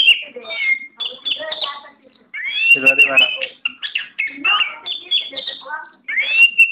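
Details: Oriental magpie-robin, tame, singing continuous varied phrases of whistles and harsh chatter, rising slurred notes repeated, with faint rustling noises underneath.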